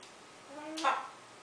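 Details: A pet macaw, throwing kisses with its foot, says a brief, voiced, speech-like "maah" that ends in a sharp, breathy burst, over a quiet room hum.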